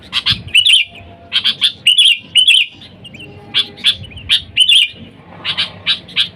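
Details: Sooty-headed bulbul calling to wild birds, used as a lure for bulbuls: short bubbly chirped phrases of two to four notes, repeated in bursts about every half second to one second, with faint low background rumble.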